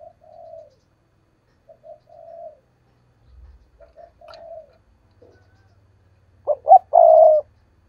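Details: Series of soft, drawn-out low coos from a spotted dove decoy, calling in 'thúc gù' style to attract wild doves for trapping, with a faint thump midway and a loud, clipped, rolling coo phrase closing the passage.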